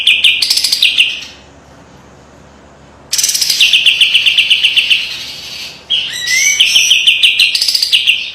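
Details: Kapas tembak white-eye delivering a piercing master song with tight rattling for training: bursts of high buzzy chatter separated by a two-second pause, each run dissolving into fast, regular clipped trills.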